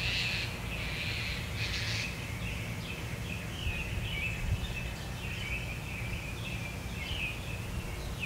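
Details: Young mockingbird fledgling being fed by an adult, calling in a rapid series of raspy, buzzy notes repeated steadily through the whole stretch, with louder bursts early on, over low rumbling background noise.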